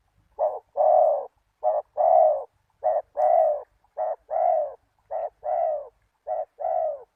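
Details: Spotted dove cooing as a lure for wild doves. Six low two-part coos, each a clipped note followed by a longer, fuller one, repeated steadily every second or so in a quiet setting.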